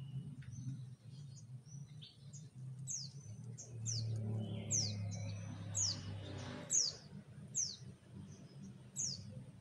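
An orange-headed thrush sings sharp, high, downslurred whistled notes, repeated about once a second, with thin chips between them over a low background hum.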